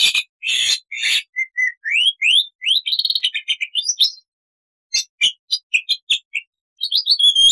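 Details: .Black-winged starling in full song for training other starlings, long and short phrases: rising whistled slurs climbing in pitch, a rapid buzzy trill, then sharp chattering notes after a short pause.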